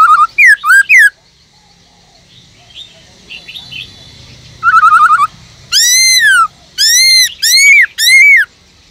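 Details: Caged Black-throated laughingthrush in full forest-voice song, used to stimulate other birds: quick looping whistles, a soft pause with faint chirps, a short trill, then four loud arched whistled notes.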